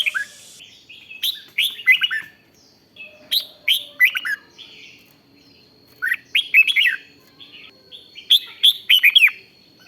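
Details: Red-whiskered bulbul giving 'rik' song meant to rouse other bulbuls: four bright phrases of chirpy, falling notes in rapid clusters, separated by short pauses, over a faint constant high tone.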